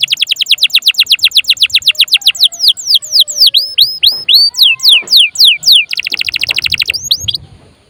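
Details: Canary lure song for prompting other birds to sing or as a tutor: a rapid even trill, then looping whistled slurs about four per second, then another quick trill.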